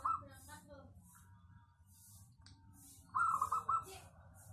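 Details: Local zebra dove with a clear, dense voice, used as a lure bird, giving short bursts of rapid low cooing notes near the start and again after three seconds, over a steady low hum and faint other chirps.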